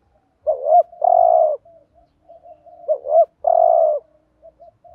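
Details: Decoy spotted dove giving the thúc gù cooing style, used to provoke rival males: two clear hooting phrases, each a short double note and then a longer, fuller coo, separated by soft murmurs.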